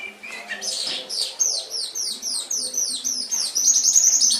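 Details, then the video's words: Canary singing on an Indonesian tutor recording for training pet canaries: brisk, evenly paced downward-sweeping high notes repeated in a trill, ending in a brighter, sustained ringing high phrase. "Masteran Suara Burung Kenari"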